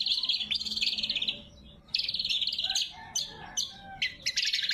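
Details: Greater green leafbird in full song, a loud, sharp recording meant to call rivals and train captive birds: two long, rattling, buzzy phrases followed by scattered sharp chips and quick, varied whistled notes.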